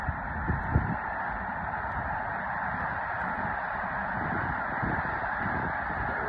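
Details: A huge flock of snow geese lifting off on March 4 at Mobridge, South Dakota: a dense, unbroken roar of countless overlapping honking calls, with low rumbling thumps and gusty noise underneath.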